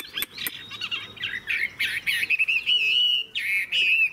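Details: Chinese hwamei, a wild-caught older bird with a fig-leaf tail and a long-singing style. Rich, loud warbling turns into a steady, clear whistled phrase with brief trills.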